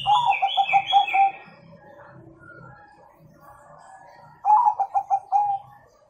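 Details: Bangkok zebra dove singing its 'kung' song, used to teach young birds: rapid low coo runs ending in a drawn note, repeated after a pause, with brief higher chirps at the start and a faint low hum.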